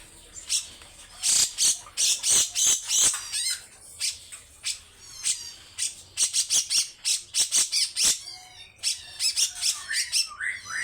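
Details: Grey-cheeked bulbul delivering harsh, rough song bursts in quick series, ending with a run of rising whistled slurs.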